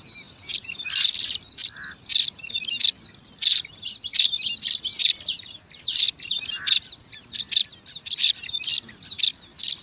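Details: Five bar-winged prinia chicks competing for food at their nest in alang-alang grass: a dense chorus of high, thin, overlapping squeaky chirps and short sharp notes, with bursts of louder calling every second or two.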